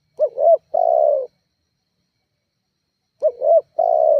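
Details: Spotted dove call played as a lure to provoke rival doves: a short wobbling double coo and a longer falling coo, then after about three seconds of silence the same phrase again.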